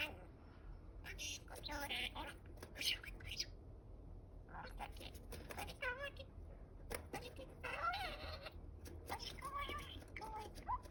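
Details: Pet male budgerigar indoors, talking to itself more while its mate incubates many eggs; soft, rapid mumbled speech-like chatter with scratchy bursts and short rising whistled notes over low room hum.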